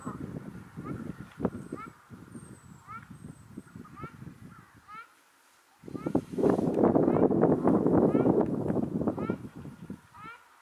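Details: Ruddy shelducks seen in March 2022 near Hergershausen and at the restored Landbach in Bickenbach: short nasal honks repeated about three per second, over loud low rumbling and rustling noise, with a brief quiet gap midway.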